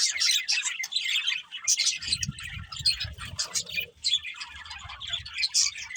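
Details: Budgerigars chirping in a dense, continuous chatter of rapid warbled notes and squawky bursts, with faint low rumbling in the middle section.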